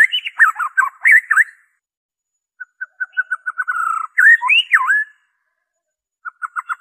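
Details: Pure white-rumped shama song with no borrowed phrases, meant to stir captive birds to sing: quick jumbled whistles, a pause, an accelerating run of short repeated notes, then looping slurred whistles and a few final clipped notes.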